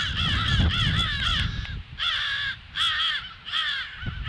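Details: Crows giving alarm calls on 18 February at 08:50: harsh, nasal caws with stacked harmonics, bunched in bursts of several calls separated by short pauses, over a low rumble of background noise.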